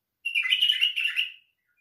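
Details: One lively white-eared bulbul song phrase, a fast run of bubbling, slightly rising and falling notes lasting just over a second, with silence before and after.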